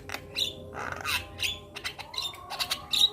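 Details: Black-winged starling, caged, singing energetically with head-bobbing: a quick run of harsh rasping squawks, buzzy broadband notes and brief whistles, with one clear rising whistle near the end.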